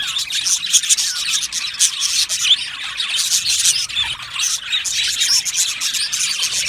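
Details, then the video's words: Australian budgie parakeets in an aviary colony chirping in chorus, rapid squeaky twitters and brief whistled notes layered over dense scratchy flock chatter. "Australian Budgie chirping sounds"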